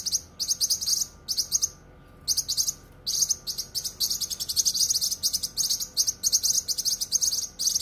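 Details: Cucak kinoi song, full and sharp, from masteran training audio: buzzy, high chattering phrases, a pause of about one second, then nearly continuous rapid twittering to the end.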